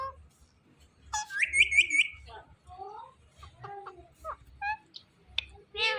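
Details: Pet rose-ringed parakeet talking: a burst of harsh, buzzy chirps, then short wavering voice-like phrases and clipped squawks in uneven bursts, ending with a rasping call; quiet indoor setting.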